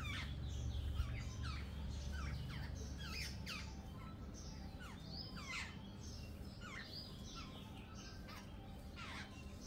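A flock of jungle babblers chatters in a busy chorus of harsh, squeaky notes, several birds overlapping, over a steady low rumble of background noise.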